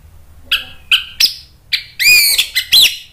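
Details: Orange-headed thrush singing to provoke rival thrushes into responding, also used as therapy for non-singing birds: a string of short clear whistled notes, then louder rapid harsh, rich phrases packed close together.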